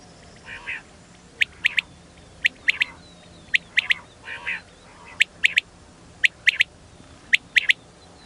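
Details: Female quail giving crisp, high chipping notes in tight doublets and triplets with pauses between groups, interspersed with a few softer, rougher, nasal calls.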